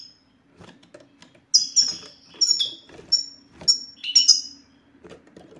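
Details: European goldfinch sitsita song, used to prompt silent male goldfinches to sing: after a quiet start, a lively burst of high, liquid twittering and downward-slurred chirps, then fading, with a faint low hum throughout.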